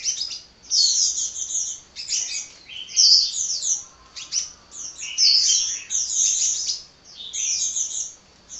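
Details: Kolibri or sunbird singing wildly and nonstop: lively bursts of high, scratchy twittering and quick chirps, each phrase about a second long, repeated with short breaks.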